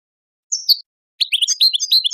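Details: Goldfinch singing on a tape for teaching young birds: a high slurred note dropping in pitch, a brief pause, then a rapid liquid twitter of bright tinkling notes.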